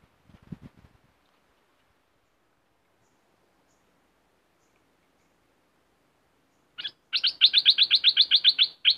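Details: Streak-eared bulbul from southern Thailand, singing energetically. After near silence and a brief low rustle, a fast, even run of bright, buzzy repeated notes about two seconds long closes the recording.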